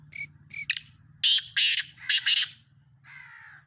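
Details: Black francolin calling in Sindh, Pakistan: a few thin short notes open, then four loud, harsh, grating bursts delivered in two quick pairs, followed by a softer buzzy note; faint low hum underneath.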